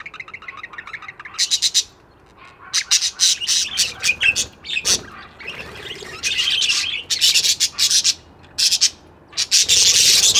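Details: Budgies chirping: clusters of sharp, clicky chirps and buzzy tweets in quick bursts separated by brief quiet gaps, ending in a loud continuous chatter.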